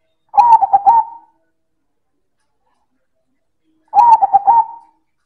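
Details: Loud manggung song of a silver zebra dove: a pair of rapid, bubbling coo phrases about three and a half seconds apart, each of several clipped notes trailing into a held tone, silence between.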